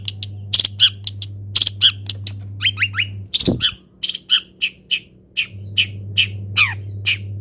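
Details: Caged long-tailed shrike singing in morning sun after its cover is lifted and it is misted, in full song packed with borrowed phrases: rapid sharp chirps, harsh squawks and short whistled notes in bursts, over a steady low mechanical hum.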